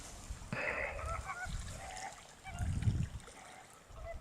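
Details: Honking greater flamingos with scattered nasal, goose-like calls, loudest in a burst just after the start. Low thumps and a splashing sound are also heard.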